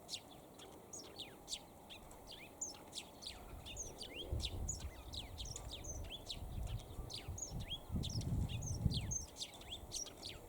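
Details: Eurasian tree sparrow calling while perched at length on a sunny day, giving a steady stream of bright, brief chirps about four per second, some notes rising, some falling, over intermittent low rumbling noise in the background.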